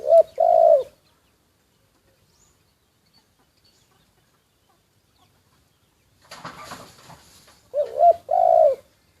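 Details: Spotted dove kept as a decoy bird, secretly recorded: a low cooing phrase of a short double note and a long mellow coo, a brief rustling noise burst, then the same phrase repeated near the end.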